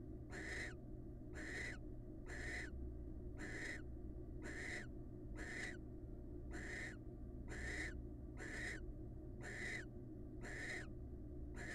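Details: Wild barn owls during pair bonding: harsh, breathy hissing screeches about half a second long, repeated roughly once a second in a steady series, over a constant low electrical hum.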